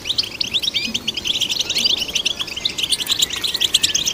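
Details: Short burst of European goldfinch song, used to stimulate goldfinches: quick, tinkling chirps in tight rhythmic clusters, mixed with thin rising and falling whistles, bright and continuous.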